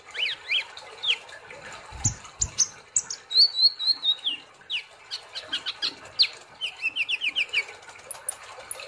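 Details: Olive-backed sunbird (kolibri ninja) in lively gacor nembak song: quick rising chirps near the start, then a sustained high wavering whistled phrase, followed by rapid sharp ticking notes and thin high trills at the end.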